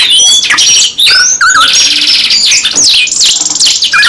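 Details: Canary singing actively in long unbroken bursts (gacor nembak panjang style), loud and close: rapid rising and falling whistles, fast buzzy rolls and sharp high chirps, with only a brief break near the one-second mark.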